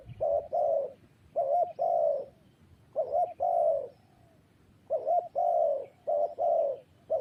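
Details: Repeated cooing of a spotted dove: phrases of a short note and a longer throaty coo, separated by brief pauses of about a second. A few phrases have a wavering, quavering start.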